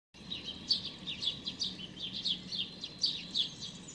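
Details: A hungry young sparrow with unusually pale, almost white feathers, begging, observed 16 May 2019; rapid series of high, slurred chirps repeated several times a second over a faint low hum.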